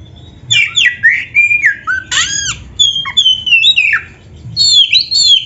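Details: Oriental magpie-robin (kacer) in full, energetic 'gacor' song, used as a tutor recording: loud, varied whistled phrases with sharp descending slurs and buzzy notes, delivered in quick bursts over a faint low hum.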